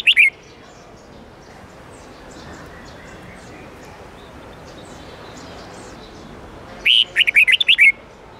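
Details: Two red-whiskered bulbul phrases in the twisting 8-9-10 note training style: a brief whistled fragment at the start, several seconds of faint background hiss, then a rapid burst of about seven looping whistled notes.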